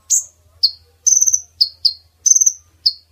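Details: Lure call of a female brown-throated sunbird, used to bring males close for capture. Two buzzy pulsed trills separate clusters of sharp, high, downslurred chips, with a faint low hum underneath.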